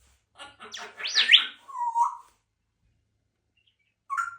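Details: Pet African grey parrot indoors in a small room, talking and making odd noises: a burst of rapid speech-like chatter and a sharp rising whistle, then a lower slurred note, silence, and a brief final squawk.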